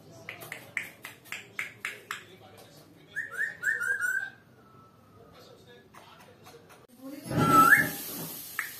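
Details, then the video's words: Pet African grey parrot, kept indoors and known for whistling and talking, giving a run of quick descending whistled slides after a series of rhythmic tapping clicks, with a loud burst of noise near the end. "The Talking African Grey Parrot"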